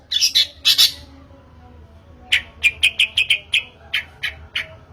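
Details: Long-tailed shrike lure call to prompt singing. Two loud rasping bursts, a pause, then a series of short harsh chak notes, about five quick ones followed by three more spaced out.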